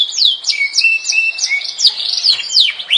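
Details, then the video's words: Yorkshire canary producing sharp downward chirps alternating with short level whistles at a lower pitch, loud and close in a dense, slightly harsh phrase. "kenari yorkshire - Singa Eropa yang Melegenda"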